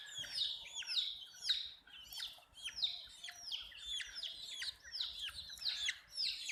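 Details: Shrill peeping from many young chicks, each call a quick descending whistle. The calls come in bursts of three or four, almost two per second, and overlap steadily throughout.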